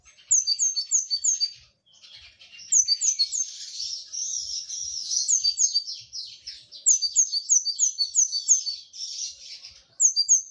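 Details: Brown-throated sunbird singing actively, with bursts of sharp, high, descending chirps in quick runs. Between them a continuous buzzy high twittering warble fills the gaps.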